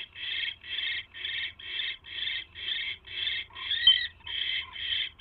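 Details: Owl pair during a mouse delivery from male to female: evenly spaced breathy, hissing screeches, about two per second, steady in pitch and loudness, with a faint low hum.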